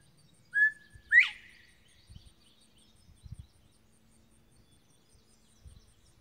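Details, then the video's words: Male bobwhite quail singing atop a slash pile of dead trees: one two-part whistle, level then sharply rising, followed by several soft low thumps and handling noises. "Beautiful Bobwhite Quail Singing"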